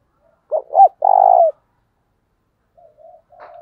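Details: Spotted dove cooing in a lure recording meant to draw wild doves: two short rising notes then a long rich vibrating coo, followed by softer, lower cooing from a second, quieter bird; otherwise silent background.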